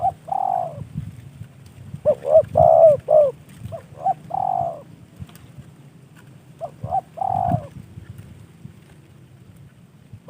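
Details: Spotted dove, a caged bird trained as a decoy and received as a gift, cooing in short groups: quick paired notes followed by a longer drawn-out coo, phrases repeated with pauses between them.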